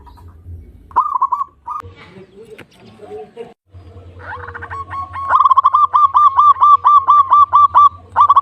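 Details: Local zebra dove: scattered soft notes and mixed background sounds at first, then a sustained run of rapid, evenly spaced cooing notes with a faint low hum beneath.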